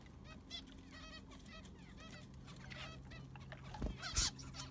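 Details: Zebra finches in an aviary during cleaning with fresh sand. Short nasal, harmonic calls come in loose clusters through the first seconds, over a low steady hum, with a sharp clatter near the end.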